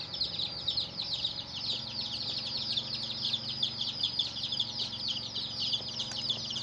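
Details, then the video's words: Young chickens chirping together: an unbroken stream of shrill, short, falling peeps from many chicks at once, with a soft low hum and an occasional faint click. "Hen Murgi Baby "Chicks Chirping" Sound"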